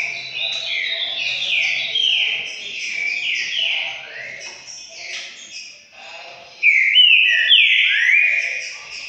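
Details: Green-winged saltator (trinca-ferro) singing loud, rich whistled phrases that slide and overlap in quick runs, with a brief pause before a strong final burst, over a faint low hum; date given as 12 December 2020.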